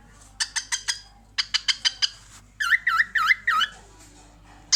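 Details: Cockatiel laughing at her reflection in a mirror: quick dry chattering clicks, then four looping whistled notes that dip and rise, ending with a lone click; indoors, otherwise quiet.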